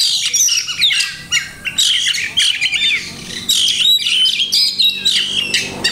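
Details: Hobby-kept kacer (Oriental magpie-robin) performing many mimicked phrases: harsh scratchy bursts alternate with clear whistled slurs and rapid chip series, in choppy sections with brief silences.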